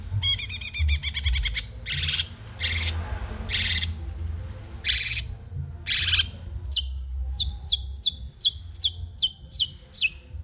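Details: Madura long-tailed shrike in training: a rapid rattle, then repeated short harsh bursts about a second apart, ending in a quick series of sharp, high, falling notes, with low background hum.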